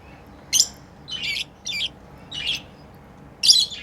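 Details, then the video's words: Loud, close chirping from playing lovebirds: five harsh, grating bursts spread over nearly four seconds, each short and noisy, in a quiet indoor space. "Lovebirds playing & Chirping sounds"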